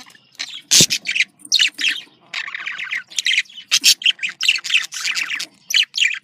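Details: Female and male budgies chattering to spur breeding: a sharp harsh squawk opens a lively sequence of squeaky chirps, buzzy trills and whistled notes in rapid overlapping bursts.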